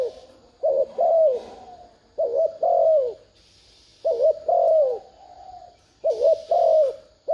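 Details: Spotted dove coos played to rouse a decoy dove: four similar phrases about every one and a half seconds, each a short throbbing note followed by a drawn-out descending coo, over a soft background hiss.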